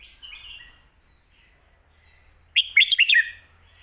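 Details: Red-whiskered bulbul song in a full, quick style meant for tutoring young birds: a soft, distant warble first, then one loud, rapid phrase of four or five bright whistled notes jumping up and down.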